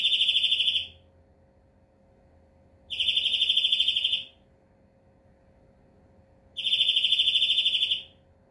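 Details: Three repeated rapid trills from a European greenfinch, each lasting over a second, evenly spaced about three seconds apart, pulses fast and uniform at high pitch.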